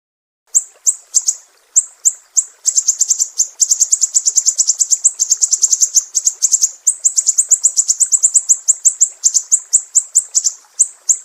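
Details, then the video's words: Sumatran mangrove whistler in a besetan master recording for training songbirds: high sharp ticks accelerating into a long, dense rattling trill of very rapid notes, then slowing back to spaced chips. "SIRI SIRI SUMATRA, BESETAN PEDIH"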